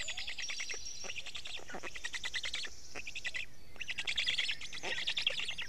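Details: Black stork chicks at a nest in Estonia, early morning of 29 May 2018 at 6:41, being fed fish by the father: rapid high chittering and squeaky notes in bursts, overlapping, with faint background hiss.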